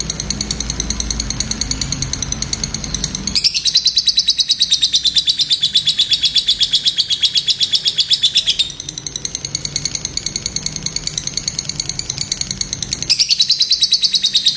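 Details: Lovebird singing long sustained high trills of fast buzzy pulses, each stretch lasting several seconds and restarting almost immediately, with a low background rumble.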